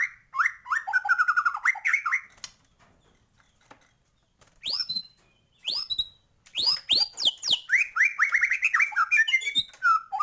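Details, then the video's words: Continuous gacor song of a white-rumped shama rich in isian phrases: fast fluty trills, short bursts of high rising whistles with pauses between, then a long dense run of rapid repeated notes. "Murai batu gacor,, full isian"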